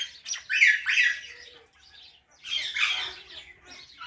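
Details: Parrot giving raspy, scratchy chirps in two bursts separated by a short pause, notes broad and noisy with some rising and falling tones.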